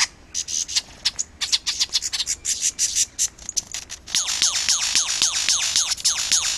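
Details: Superb lyrebird in Australia singing during its mating dance, each melody tied to its own moves: first scattered sharp clicks and chips, then a rapid steady series of quick downward-sweeping whistled notes.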